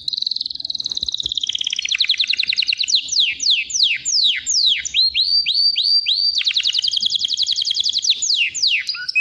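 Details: Canary song beginning with a dense rapid trill. It moves into a string of sharply falling whistles and rising slurred notes, then returns to another fast rolling trill.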